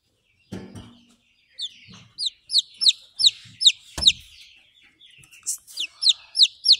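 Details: Buff Orpington chick, hatched 17 April 2023, heard 28 April 2023 uttering loud, piercing downward-sweeping peeps in rapid runs, a brief gap halfway through, with a few soft low bumps and a thud.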